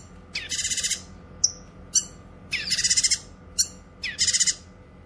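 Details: Cucak kinoy song for tutoring and luring: three harsh buzzy pulsed bursts of five or six beats each, separated by single sharp high chirps and a clear whistled note, over a steady electrical hum.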